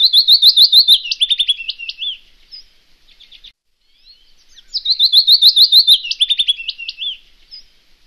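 A Wood Warbler sings a high, accelerating series of ticking notes that runs into a shivering, metallic trill. The phrase comes twice, about four seconds apart, with quiet between.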